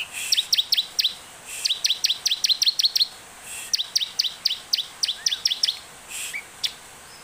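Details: Bar-winged prinia singing keenly with much emotion, a lure recording to draw song from other prinias: several runs of sharp, high, down-slurred chirps in quick succession, ending with scattered single notes.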